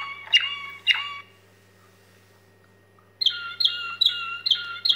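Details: Waterslager canary singing its staaltonen (steel tones) song tour: two bright, ringing notes, a short pause, then a run of metallic, bell-like notes repeated about every 0.4 seconds. A steady low hum sits underneath.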